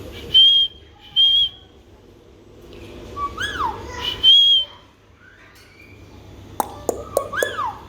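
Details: Talking Alexandrine parakeet: two short high whistled notes, slurred voice-like rising and falling phrases, another high whistle, then quick clicks and a falling squawk.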